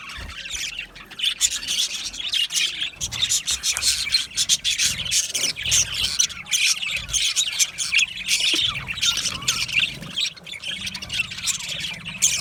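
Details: Flock of budgerigars in an aviary keeping up a continuous, busy chatter of sharp high chirps and squawks, the many overlapping voices forming a steady bright wash of sound.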